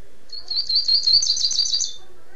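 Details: Double-collared seedeater (coleiro) in the 'tirano' song style, recorded in Niterói, Rio de Janeiro, Brazil: a fast, high, buzzy twittering phrase of rapid trilled notes lasting under two seconds over faint background hum.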